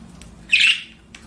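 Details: Pet budgerigar giving one harsh, buzzy squawk of about a quarter second in a quiet room, followed by a faint short chirp; a low steady hum sits underneath.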